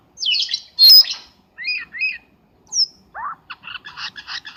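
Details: Bird-trapping lure call of a Black-winged starling: a harsh squawk, paired short two-note chirps, a high thin whistle, a rising slur and then a quick series of clipped chattering notes.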